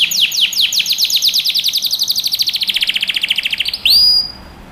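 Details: Singing canary used to train young birds: a long run of quick falling chirps that speeds into a fast even trill, ending in one bright rising whistle.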